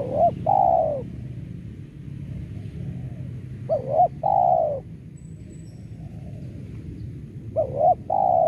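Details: Spotted dove call used as a lure to attract doves for trapping: a short hooked double note followed by a longer, downslurred mellow coo, the phrase repeated three times about every 3.5 seconds over a steady low rumble.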